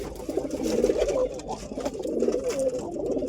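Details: Real pigeon cooing in two low, throaty phrases, each swelling and wavering before fading, heard close in a small indoor space.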